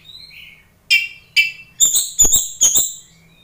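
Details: Oriental magpie-robin in full song, used as playback to provoke a fighting response from other magpie-robins: a faint thin whistle, then five loud, harsh, rich bursts with high whistled overtones, tightly grouped over about two seconds.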